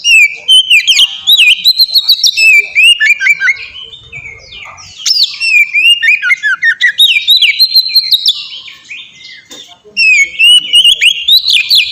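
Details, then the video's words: Oriental magpie-robin, or kacer, delivering ngeplong song played as a master lure to make kacer start singing: long, continuous streams of clear whistles, upslurs and downslurs mixed with crisp chips, broken by a brief pause midway. "suara burung kacer ngeplong merdu sangat ampuh buat pancingan kacer bahan bikin cepat gacor"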